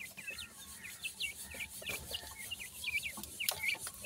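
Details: Young francolin chicks in summer, kept as pet birds, make a steady stream of thin, high peeps, mostly downslurred, roughly three or four each second. A constant hiss lies behind them.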